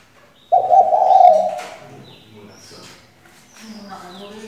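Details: Female spotted dove used as bait to make males sing, producing one rough, quavering coo lasting about a second, followed by quieter low murmuring sounds.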